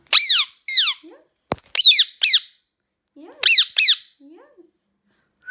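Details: Shrill screaming from a loud Indian ringneck parrot: piercing harmonic calls that slide steeply downward, given in quick pairs, with faint low chatter and one sharp knock between them.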